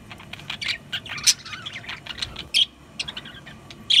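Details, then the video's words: Budgerigars chirping in uneven bursts, scratchy twitters mixed with louder sharp squeaks near the start and end. "Beautiful Budgies Parrots Beautiful Birds"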